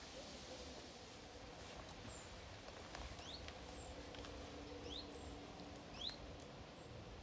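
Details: A juvenile common chiffchaff near a small woodland by a large lake, on a breezy day, gives soft, rising 'hweet' calls spaced a second or so apart, over steady hiss and faint low hum.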